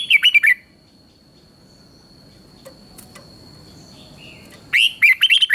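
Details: Red-whiskered bulbul song from Thailand meant to rouse other bulbuls: a short burst of bright looping whistles, four seconds of near silence with faint clicks, then another lively warbled phrase.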